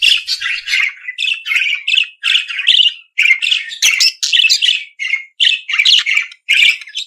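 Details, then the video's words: Budgerigar song of clipped, rasping chirps delivered in quick pairs and triplets, roughly two to three notes per second with short silences between. "periquito Austráliano/deixe seus pássaros 🐦 mais animado."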